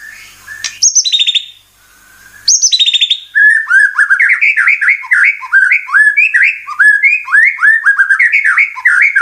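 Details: White-rumped shama (murai batu) song used as a lure to provoke other birds into singing and showing their repertoire: a few high whistled notes, a pause, then a fast, dense run of varied slurred, chattering phrases.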